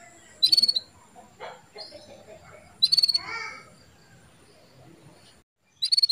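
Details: Calls of a female canary meant to stir a male into breeding readiness: loud, clipped chirp bursts, each a fast rattle of high notes, recurring about every two to three seconds, with softer scratchy sounds in between and a low hum.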